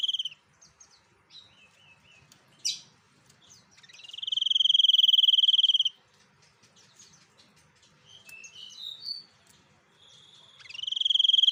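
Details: Caged white-breasted sniper bird singing actively: long, fast buzzy trills with a steady high pitch around four to five seconds and again at the end, with short sliding whistled notes in between.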